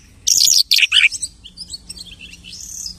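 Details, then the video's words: A lark, said to imitate hundreds of birds, sings a fast, high burst of chattering, buzzy notes and sharp twitters, then fades into softer scattered chirps. "The lark imitates the singing of hundreds of birds."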